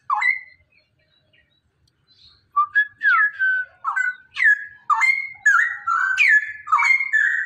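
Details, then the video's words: Male straw-headed bulbul (cucak rowo) giving its rapid 'ropelan' song, used as therapy to get other birds singing. A short note, a pause, then a run of loud, rich whistled phrases that slur up and down, about two a second. "suara ropelan cucak rowo jantan"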